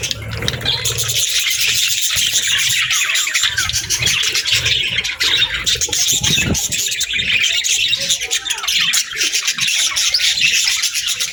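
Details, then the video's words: Many pet budgerigars chattering together: a steady wall of fast, high chirps, twitters and warbles without pause, plus faint low rumbling and scattered knocks in the background. "Budgie Chirps & Sounds"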